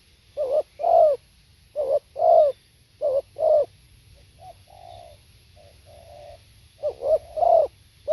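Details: Live spotted dove song: throaty two-part coos, a brief note then a drawn-out falling one, repeated several times, broken midway by a few soft, quieter hooting notes before the strong coos resume.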